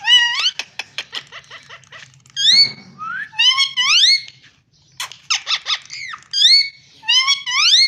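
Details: Parrot vocalizing in varied phrases: quick clicking ticks, then upswept whistles and rich nasal syllables, with a short silent gap midway before another burst of rising, layered calls.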